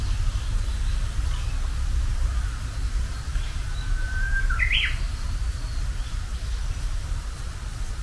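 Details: Spring's first Japanese bush warbler song: after a quiet stretch, a faint sustained whistle leads into a short, sharp upward flourish midway, with a steady low hum of background noise throughout.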